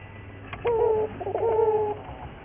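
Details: Single coo phrase from a local Barbary dove, known as burung puter, played as a training lure song: a short low note, a brief break, then a longer wavering coo, with faint ticks before it.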